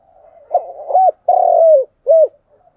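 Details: Spotted dove cooing in the morning as a lure for wild doves: a soft lead-in, then three mellow coos, the middle one long and slightly falling, in a quiet setting.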